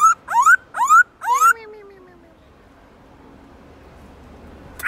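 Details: Black-throated laughingthrush giving three sharply rising whistled notes about half a second apart, the last trailing into a long, low, falling tone that fades into quiet background hiss.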